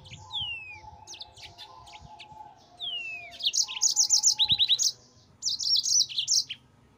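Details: Yellow-fronted canary, called mozambik, in a master recording for training cage birds, singing continuously: high descending whistled slurs alternate with rapid trilled bursts of sharp notes, bunched into phrases with brief pauses.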